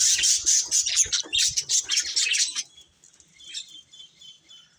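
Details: Pet budgies chirping rapidly in repeated bright bursts for about two and a half seconds, then fading to softer, thin distant twitters.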